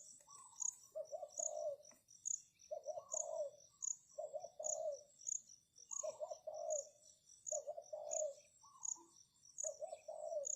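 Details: Decoy spotted dove calling to attract wild doves: low, two-part cooing phrases repeated about every one and a half seconds, over steady hiss and loud, evenly pulsed high insect chirps.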